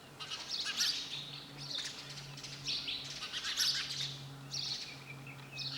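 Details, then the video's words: Sparrow chirping in bursts of bright, high chirps and short twittering phrases, separated by brief pauses, over a low steady hum. "Sound of sparrow bird"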